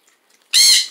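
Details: A pet Amazon parrot, sitting on a bag of popcorn indoors while being petted, gives one loud, harsh squawk about half a second long, rich in high harmonics, after a near-silent start.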